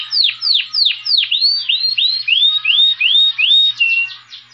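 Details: Saffron finch (Sicalis flaveola) song: a rapid series of bright, sweeping whistled notes, first falling then rising, about three per second, ending on a steady clear whistle.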